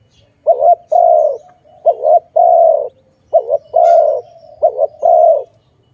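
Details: Dove cooing where doves are trapped and released: a short wavering two-part note followed by a longer, level hoarse coo, the pair repeated four times at roughly one-and-a-half-second intervals, faint low rumble beneath.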